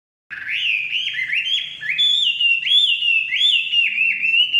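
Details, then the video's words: Chinese hwamei singing in forest: loud, rich whistled phrases, each sliding upward then holding or slurring, delivered in quick varied succession without pause. "kicauan wambi/huamei hutan"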